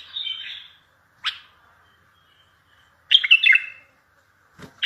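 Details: Bulbul song played to make other bulbuls answer, for trapping. A soft warble, a single sharp note, a longer burst of bright tumbling chirps, and a final clipped note, separated by quiet.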